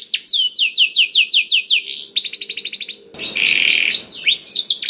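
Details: Black-throated canary song for stimulating other canaries to sing: a run of repeated downslurred whistles, a faster rattling trill, then a buzzy grating phrase mixed with sharp chips.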